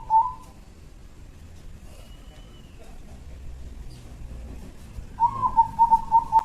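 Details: Zebra dove of local stock kept as a lure bird in Jambi, giving a short, soft, trembling coo series on a steady low pitch near the end, with a brief note at the start and quiet background noise.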